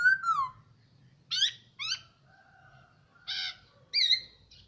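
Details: Caged hwamei, kept a year, gives a falling whistled phrase followed by short rough notes and a few buzzy, harmonic calls spaced about half a second to a second apart.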